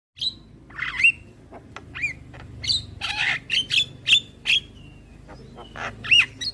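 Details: Javan myna song used as master recording for training young birds to sing: harsh squawks mixed with short whistled, rising and falling notes, delivered in rapid bursts with brief gaps; faint low background hum.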